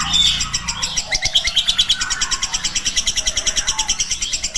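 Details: Long lovebird chatter known as ngekek, intended to tutor other lovebirds: a fast, loosely regular string of high chirping notes with some overlapping calls and light low clicks.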